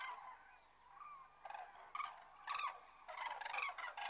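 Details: Resting common cranes south of Kastlösa in September 2013. Loud rolling, trumpeting calls with a rattled, pulsed quality break out in quick succession after a quieter start, several birds overlapping in a flock chorus.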